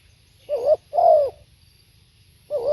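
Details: One live spotted dove phrase: a short rising-and-falling note, then a drawn-out mellow descending coo, with the next phrase beginning.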